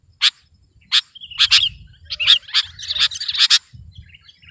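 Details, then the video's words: Kutilang (sooty-headed bulbul) competition singing: two isolated sharp chirps, then a rising flurry of bright twittering and warbled notes for about two seconds, fading into faint soft trills. "Suara burung kutilang gacor || menekan lawan 100%"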